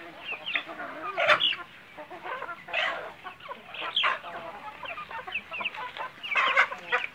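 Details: Several Bangkok chickens on a semi-free-range farm cluck and squawk in short, scratchy bursts, overlapping each other in a busy flock.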